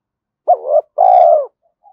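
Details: Spotted dove calling to lure wild and domestic doves: one wavering coo, then a longer steady throaty coo that dips at the end, followed by a faint short note.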